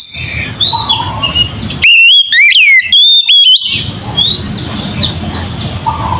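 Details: Ngeplong-style Oriental magpie-robin song used to agitate other magpie-robins. A loud cluster of whistles with sharp downward slides sits in the middle, framed by quieter, wavering whistles and steady background hiss.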